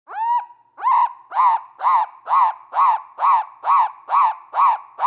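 A cockatoo gives a run of harsh, rising-and-falling screeches, about two per second, strongly harmonic and steady in rhythm, with no other sounds.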